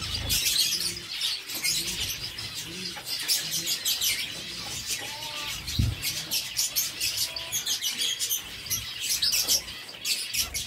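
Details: Several captive zebra finches eating seeds at a breeder's setup give a steady stream of short, high, nasal chirps, with occasional soft low thumps underneath.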